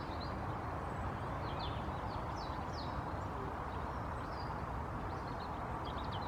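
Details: High, brief, downward-slurred notes of an African blue tit, scattered irregularly through the recording against a heavy, continuous low-pitched noise.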